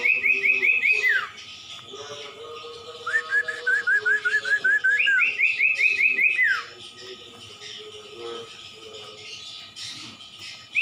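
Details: Common iora (cumpon/sirtu) masteran song. Bursts of fast high chirping whistles each end in a steep downward slur, with a lower run of short rising notes in between, followed by a quieter stretch near the end.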